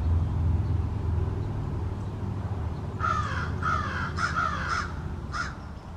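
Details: American crows, part of a small family group, converse in a backyard. After three seconds of low rumbling background noise, a quick series of about five raspy caws bursts out, some nearly run together, then falls silent.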